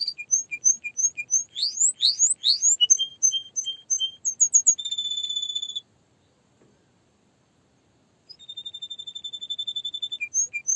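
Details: Canary song with rapid repeated chirps and rising sweeps, a sustained buzzy trill, a two-second pause, then another long rattling trill and a few closing notes.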